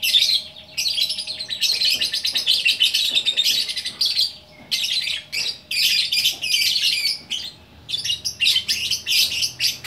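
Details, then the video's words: Lovebird at Bukittinggi, West Sumatra, performing orkestra-style gacor song: about ten seconds of rapid shrill chattering and squawky notes in repeated long phrases broken by brief pauses. "Burung Lovebird Gacor Orkestra"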